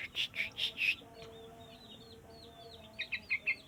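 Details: Caged sooty-headed bulbul in training, singing four loud, rounded notes in quick succession. A pause follows, then another set of four notes. Thin high twitters and steady humming tones run underneath.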